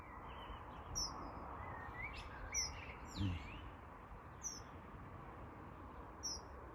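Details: Dunnock parent calling to a newly fledged young near a road in 2025: thin, high, piercing 'tseep' notes a second or two apart, over steady wind and road noise with softer chirps from other birds.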